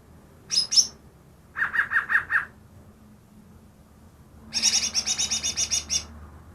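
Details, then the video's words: Greater green leafbird, newly trapped and said to imitate ten other birds; two sharp high notes, a mid-pitched trill of five notes, then a long high buzzy rattle of over a dozen pulses. "burung cucak ijo yang bisa meniru 10 suara burung lain"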